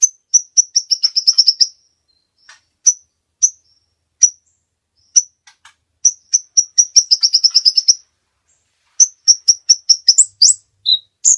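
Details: Hummingbird lure call, described as constantly chatty: high thin notes come singly and then speed into fast twittering runs, repeated several times, with a squeaky rising note near the end.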